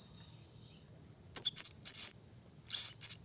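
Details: Lure call of a blue-crowned hanging parrot, used to draw in other birds: after soft piping notes come loud, sharp, high-pitched squeaky bursts in pairs over a continuous thin whine.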